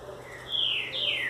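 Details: Green-winged saltator, recorded 11 July 2019 and still coming into form, gives a strong song of two loud, clear whistled notes, each sliding downward, the second starting higher, while another bird sings in the background over a faint hum.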